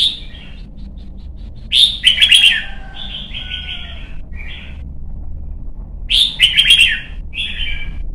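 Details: Young red-whiskered bulbul in Vietnam, caged and prompted to sing for competition; after soft quiet notes, two loud bursts of rich whistled warbling a few seconds apart, each trailing into lower, clipped notes.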